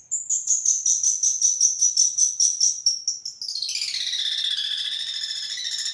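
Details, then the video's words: Long-tailed shrike song used as a training master, mimicking other birds: a fast series of high, even, repeated chirps about three per second, then a sustained buzzy trilling warble. "Cendet nembak kunti panjang dan tengkek, masteran cendet juara"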